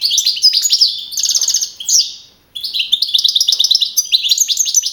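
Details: European goldfinch, a young male of wild type, first place at a 2012 Madrid-region singing contest; dense twitter, then a buzzy trill and descending slur, a short silence, and a long run of quick bright chirps.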